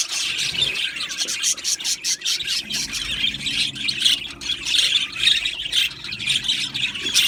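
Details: Australian budgerigars in an aviary colony, a dense overlapping chatter of high chirps, squawks and warbled notes from many birds, with quick clicks and rapid bursts that barely pause, over a faint low steady hum.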